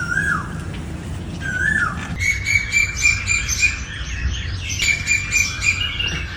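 Asian koel: two slurred, falling notes, then a fast, shrill series of sharp kik notes, about three or four a second, over a faint rural hum.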